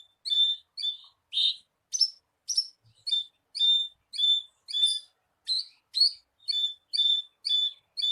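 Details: Horsfield's bush lark lure song for prompting a captive bird to sing: regular repeated twangy chirps, nearly two per second, after a few louder rasping notes.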